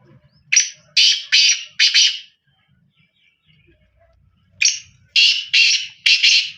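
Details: Two loud, grating four-note phrases from a black francolin, each note buzzy and rasping, separated by a silent gap of about two seconds.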